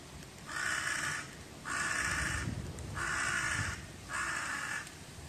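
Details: Wild young crow begging while its parent teaches it how to find food, 8 June 2018: four drawn-out, harsh, nasal caws, each lasting most of a second and spaced a little over a second apart, over quiet outdoor background.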